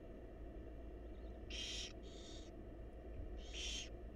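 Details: Wild barn owl chicks begging in a nest box during a feeding by their mother; a doubled raspy hiss followed by a single louder one, noisy and harsh, set against continuous low electrical-sounding hum.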